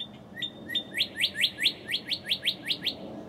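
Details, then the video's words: Northern cardinal singing at close range in early morning, filmed in March 2011: two or three long level whistles, then a fast series of about twelve bright downslurred notes, steady background hiss. "Northern Cardinal Singing Close-up Finale with Thunderstorm in HD"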